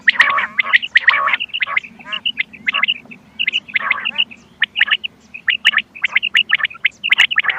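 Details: Quail calls played to lure birds for hunting. Busy chirping with quick, clipped high notes often grouped in twos or threes, mixed with harsher bursts and trills, over a low background hum.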